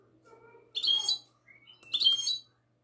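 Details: Goldfinch hybrid singing in classic style, recorded on the night of 22 March 2020: two short bright bursts of high chattering, twittering notes, separated by soft lower murmurs and a brief rising whistle.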